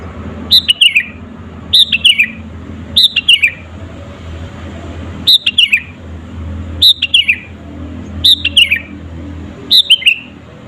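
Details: Sooty-headed bulbul singing in lively form, natural voice without inserted songs, used as a lure to make rival birds agitated; short bubbly phrases of sharp chirps sliding downward, repeated about every one and a half seconds over low hum.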